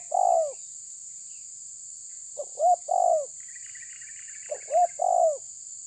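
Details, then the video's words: Spotted dove challenging a rival: three cooing phrases, each a quick pair of short notes then a drawn-out falling coo, with a brief buzzy chatter from another bird between them and a constant high hiss behind. "Terkukur menekan lawan bikin emosi"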